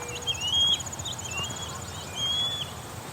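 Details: Osprey calling in the background along the Grand River in Waterloo, Ontario, on a hot morning; a very hungry bird, probably juvenile, giving thin, high, sliding, piercing whistles in short bursts about a second apart over insect hiss.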